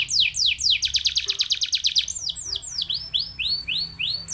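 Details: Canary singing to stimulate other canaries: a few falling sweeps, a fast pulsing trill, then arched whistled notes, rising and falling, repeated about twice a second.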